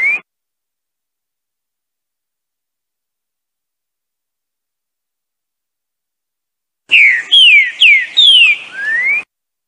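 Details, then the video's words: Green-winged saltator giving one rich, loud phrase of about five clear, slurred whistles, rising and falling, after a long silence; a clipped note opens the recording. "Trinca-ferro Bom dia seu Chico BOI"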